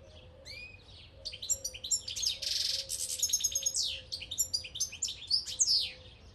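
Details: European goldfinch in Albania singing a fast, bright, tinkling twitter of high chirps, buzzy trills and rapid liquid notes, with a low steady hum beneath.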